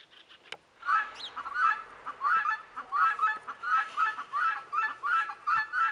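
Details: Background guineafowl near Leghorn chickens giving a loud run of grating, clipped notes, roughly one and a half per second, after a brief thump at the start. Repeated squawks persist to the end.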